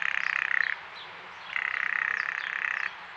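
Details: A female Blue Jay at a feeder gives the rattle call made only by females, documented as a territorial alert and often paired with bobbing. It is a dry, rapid rattle of clicks in two bursts, the second longer, ending in a faint chirp.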